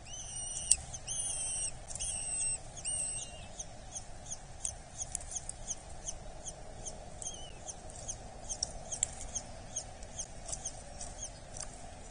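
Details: Eurasian hobby chick being fed at a nest in Dorset on 8 July 2024; thin, high whistled calls with downward-bending ends come in a quick series, then fade into scattered soft ticks over a constant low rumble.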